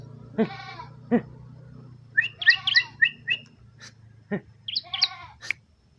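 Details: Bar-winged prinia, known locally as ciblek, uttering scratchy, buzzy chattering phrases and squeaky notes in short clusters, broken by loud low thumps and a droning background.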